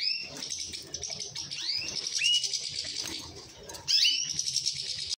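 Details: Orange mosaic canary producing a run of downward-sweeping whistles and high buzzy chatter, ending with a louder double note, light rustling beneath.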